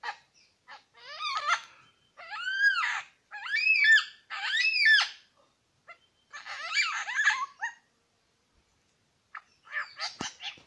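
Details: One of two male Superb Lyrebirds pours out loud, varied phrases: ringing whistles, rapid chattering runs and harsh bursts. Recorded at Lookout Point, New England National Park.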